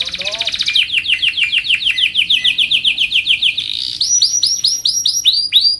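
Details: Canary song meant for training and luring other canaries, a rapid run of repeated downslurred notes that speeds into a buzzy roll, then switches to loud ringing arched whistles repeated several times a second.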